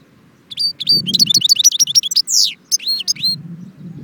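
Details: Goldfinch song from Jbel Wahch near Constantine, a quick jumble of bright chirps and trills with one drawn-out downward-sliding buzzy note in the middle, over a soft low background hum.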